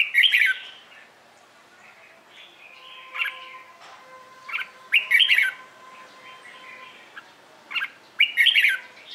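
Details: Morning competitive song of a red-whiskered bulbul used to coax new birds to sing; three loud bubbling whistled phrases spaced about four seconds apart, with softer chirps and a faint steady tone between.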